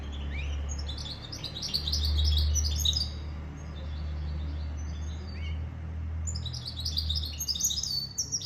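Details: Goldfinch mule, a goldfinch and canary hybrid, singing two bursts of rapid high twittering notes with a quiet pause between, over a low background hum.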